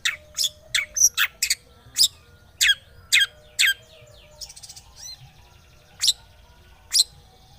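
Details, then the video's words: Lure recording of a long-tailed shrike to get a silent one singing: spaced harsh rasping chips, a brief soft trill and rising squeak, then further isolated scratchy notes. "Pancingan Cendet Macet,putar 1detik dijamin pasti ikut gacor"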